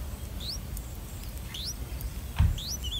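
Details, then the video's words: Streak-eared bulbul chicks, three days old, being fed by their parents in a nest in a water jasmine tree by a house: three sharp, thin upward-sweeping squeaks, a single click, and low background hum. "Streak-Eared Bulbul Feeding Their Chicks In The Nest"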